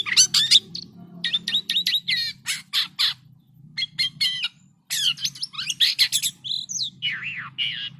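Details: Jalak kapas singing actively with strange calls: rapid harsh chattering bursts and squawky notes, then swooping whistled slurs near the end, with a steady low hum behind.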